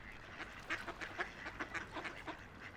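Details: Ducks floating, splashing and playing along a quiet river, quacking in a loose, overlapping chatter, several nasal quacks about every quarter second, over a soft background hiss.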